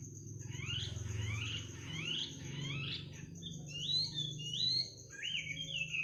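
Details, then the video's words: Midnight bird song opening with four quick rising buzzy notes, then several sliding whistled phrases, with a constant shrill insect-like tone and a low hum in the background. "kicau burung di tengah malam"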